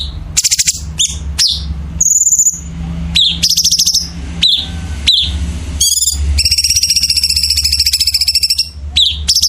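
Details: Energetic 'gacor' songbird masteran: quick downward-swooping chips and a thin high whistle, then a long, dense buzzy rattle of rapidly repeated notes lasting several seconds, with a constant low hum underneath.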